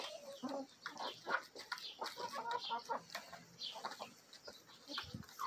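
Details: Mixed-breed backyard chickens, Marans, Araucana and Olive Egger hens with a Bielefelder-Marans rooster, eagerly feeding; low clucks and short tonal notes mingle with constant pecking clicks.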